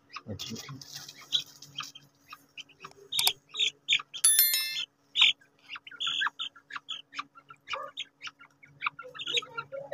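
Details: Quail during a fight give rapid, high, clipped chirps and squeaky notes in irregular bursts, with one harsher buzzy squawk and faint low voices near the start.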